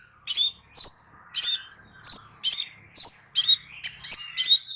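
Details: Crimson sunbird song for therapy to get a bird singing again: a steady string of piercing high chirps, coming faster toward the end, over a faint thin background tone.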